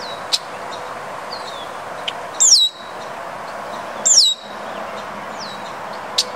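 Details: Red-winged blackbird in Grand Rapids, Michigan, giving two clear, high whistles that slide sharply downward, about two seconds apart, with fainter echoes of the same note and a few sharp ticks.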